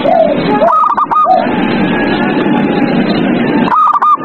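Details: Zebra dove night song for stimulating caged doves: a few arched cooing notes followed by a stuttering run, a long pause filled with hiss, then another quick burst of clipped whistled notes.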